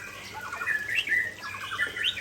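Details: Short burst from a Murai Aceh white-rumped shama performing its signature fill: clustered chattering notes with bright upward-flicking whistles, two quick phrases separated by a brief pause.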